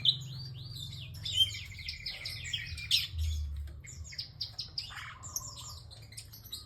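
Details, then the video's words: Bar-winged prinia singing energetically: bursts of high, sharp chirps and quick trilled notes, with a brief rattling series near the end, over a steady low hum. "BURUNG PRENJAK ENGKEL GACOR DURASI PANJANG"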